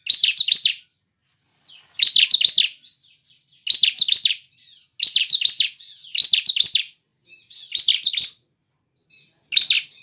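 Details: Bar-winged prinia used as a lure to stimulate caged birds to sing: bursts of rapid, buzzy high chirps in tight clusters about every one and a half seconds, with thin sustained high notes between bursts.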